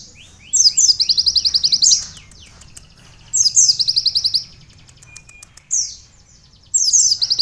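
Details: Sunbird with canary-like song fill, used for training and luring: three bursts of very high, rapid, buzzy trilled notes about two seconds apart, with quiet pauses between them.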